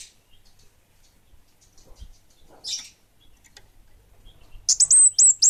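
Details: Orange-headed thrush, bunga api type, singing actively: mostly quiet with a soft hiss midway, ending in a short, loud run of four high, sharp, hooked whistles.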